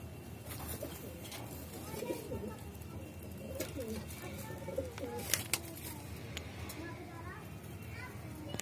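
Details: Hobby-kept Saharanpuri pigeons cooing in low, rolling, wavering phrases through the middle of the recording, with clicks, rustling and some human speech in the background.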